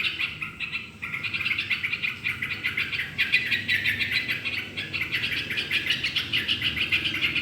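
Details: Energetic song of a yellow-vented bulbul, used to stir other birds to sing: a short opening phrase, a one-second pause, then a sustained stream of quick, bright chirping notes.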